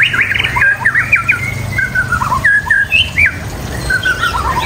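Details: White-rumped shama singing a varied run of loud whistled phrases, slurred notes rising and falling mostly in a mid-high register, with short gaps between phrases and a low background hum throughout.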